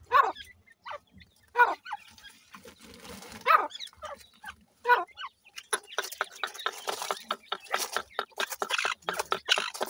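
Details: Young grey francolins: a few louder, drawn-out cheeps at spaced intervals at first, then a quick jumble of thin chirps and tapping sounds.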